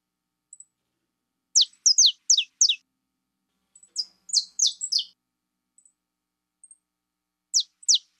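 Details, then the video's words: Saffron finch hen giving phrases of high, steeply descending chirps, four in a quick row, then a denser buzzy cluster, then two more notes after a pause; faint tiny ticks between phrases. "CANÁRIO DA TERRA FIBRA"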